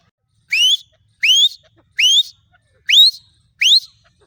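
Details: Female black francolin calling, giving five loud rising upswept notes, each slurred upward with a buzzy edge, spaced about 0.7 seconds apart over a quiet background.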